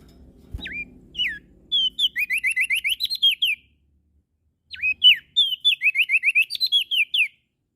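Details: Prinia from NTB, Lombok, singing steadily morning, noon and night: a few sharp dipping whistles, then two bursts of quick rising chirps strung in fast series, with a brief pause between, in otherwise quiet surroundings.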